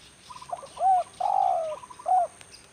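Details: Spotted dove, a decoy bird kept for trapping wild doves in rainy weather, gives a short burst of soft stuttering notes and then a rounded coo, a longer drawn-out falling croo, and another coo.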